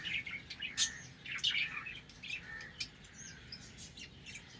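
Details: Morning budgerigar colony in a breeding setup, somewhat distant. Scattered high chirps and short warbled phrases come irregularly over a soft background hiss.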